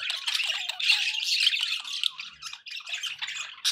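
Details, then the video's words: Pet budgerigars chattering in a dense, continuous flock mix of scratchy warbles and squeaky chirps, with one short whistled tone running underneath; steady background noise throughout. "budgie sounds"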